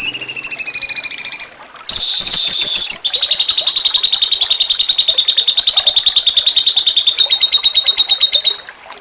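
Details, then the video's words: Grey-cheeked bulbul (cucak cungkok) song, jengking munting style, a training recording for contest songbirds: fast, high-pitched pulsed notes about three and a half per second, a brief gap, then a long ringing, steady buzzy trill. "MASTERAN CUCAK CUNGKOK JENGKING MUNTING"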